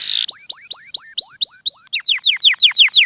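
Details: Canary song played nonstop for teaching other canaries: a rapid series of bright downward-sweeping whistled notes, about five per second, shifting midway to a slightly lower repeated phrase, with a brief buzzy note at the start.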